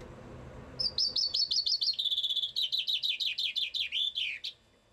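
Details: Common chaffinch singing somewhere in Bucharest: a single phrase of about four seconds opens with quick, slightly descending high chirps, runs into a fast even trill, then louder down-slurred notes that end in a brisk flourish, over a faint low background hum.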